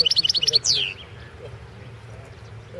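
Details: Balkan European goldfinch, Carduelis carduelis balcanica, in a 2016 goldfinch song championship recording from Serbia: a short run of quick high chirps ending in a falling slurred note, then quiet with faint hum.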